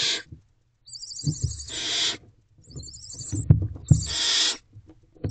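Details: Barn owl owlets at night in a nest box, jostling to get close to their mother, who may hold a mouse: long harsh broadband hisses lasting about a second, with scuffling and thumps between them.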